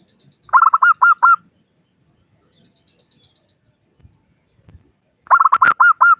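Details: Lure call of a local Zebra Dove, crystal-voiced, meant to make other doves start calling quickly. Two bursts of four or five rapid, tonal coos, each note with a sharp onset, separated by about four seconds of near silence.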